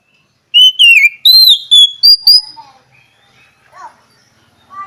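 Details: Oriental magpie-robin (kacer) pouring out a rapid run of six whistled slurs, wavering and rising, then quieter scattered notes and a soft lower downslurred call.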